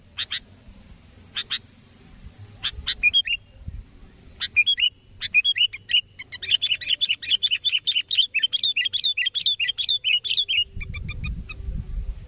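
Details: Sooty-headed bulbul called to attract a rival for trapping: scattered sharp chips and short whistled phrases build into a fast, lively run of bubbling whistled notes lasting several seconds, then clicks and low thumping noise.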